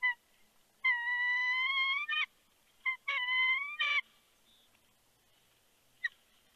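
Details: Bald eagle calling at its Big Bear nest with a fish, 3 February 2020, late afternoon: two long, steady, high whistled notes rising slightly at the end, separated by short chips, then a single faint chip.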